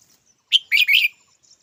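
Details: Short red-whiskered bulbul call of three parts: a sharp opening note followed by two fuller, slightly buzzy warbled notes in quick succession, with near silence before and after.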